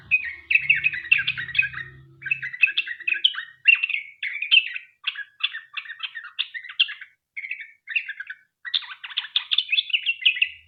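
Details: Long lure song of a Sooty-headed bulbul, aimed at getting other bulbuls to sing: repeated clusters of rapid chattering, bubbly notes separated by short breaks, with a brief low hum at the start.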